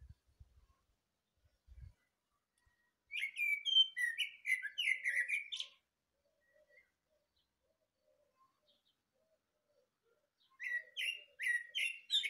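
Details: Thrush singing in the morning: two bursts of varied, rich warbled phrases centred mid-high, each a rapid run of short notes lasting about two to three seconds, separated by silence; faint low knocks at the start.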